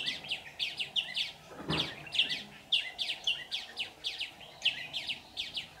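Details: Decoy red-whiskered bulbul (white-cheeked) singing at a bird trap on 15 July 2019, luring wild birds: a steady run of quick, sharp whistled notes, about two a second, with one brief low thud.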